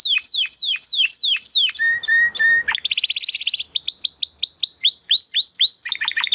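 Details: A male Timbrado Español canary, born sixth of the 2020 breeding from rated parents, sings a training song: descending repeated whistles, a flat low whistled series, then a bright sustained trill followed by sweeping falling notes.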